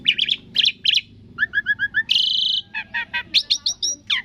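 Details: Asian pied starling in its varied thousand-voice song: clipped chattering bursts, a row of five even whistled notes, a long harsh buzz, then sharp repeated chips, with a low musical hum behind.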